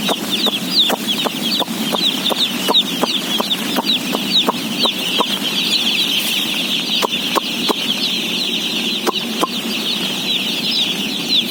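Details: Massed day-old chicks during feeding, about 17,000 head, produce an unbroken high-pitched peeping din, punctuated by rapid sharp clicks several times a second and a steady low rumble.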